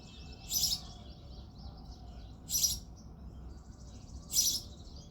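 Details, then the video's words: Three loud, rasping chirps roughly 1.8 seconds apart from a male house sparrow in early-morning February, with quieter twittering filling the gaps. "House sparrow sound effect | Sparrow chirping sounds"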